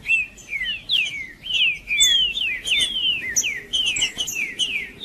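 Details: Green-winged saltator song used to warm up and excite another saltator: a continuous run of rich, looping whistled phrases, each note sliding up then down, delivered rapidly for about five seconds. Faint higher chirps sound alongside.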